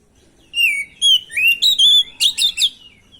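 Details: Oriental magpie-robin (kacer) lure song for provoking a reply: after a brief pause, a fast sequence of loud whistled notes with rising and falling slides, ending in rough buzzy phrases.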